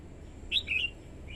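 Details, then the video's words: Red-whiskered bulbul used as a decoy to call wild birds, a female rousing the male, gives a short lively phrase of two or three bright, slurred whistled notes, then a faint trailing note, against low hum. "TIẾNG CHIM CHÀO MÀO YẾU LỬA HÓT KÍCH BỔI MỞ MỎ HÓT SỔ CĂNG LỬA"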